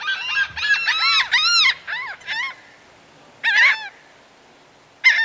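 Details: Laughing gull, a single bird giving the long or laughing call: a run of bright, nasal, arched notes in quick succession, then a pause and two more isolated calls.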